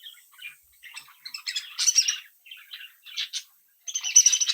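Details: Young captive budgerigars from a home brood chatter in bursts: short squeaky chirps and buzzy warbles separated by brief pauses, ending in a loud scratchy outburst.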